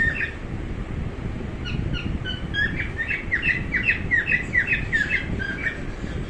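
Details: Pet cockatiel calling in fast, slightly uneven series of clipped, bright chirps, roughly two or three per second, growing busier toward the end, with a low rumbling noise underneath throughout.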